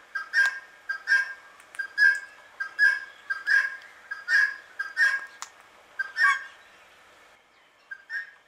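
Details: Relaxed Indian ringneck parakeet uttering sweet, gentle chirps, often in pairs, irregularly spaced and fading toward the close, with one isolated softer note at the end.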